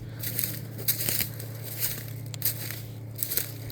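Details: Scattered crackles and crunching handling noise over a steady low hum, with no animal voices.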